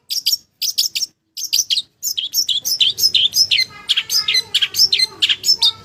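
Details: Vigorous, clear song of a long-tailed shrike from Java, opening with separated pairs of high, sharp chirps and building into a continuous run of quick, slurred and buzzy phrases.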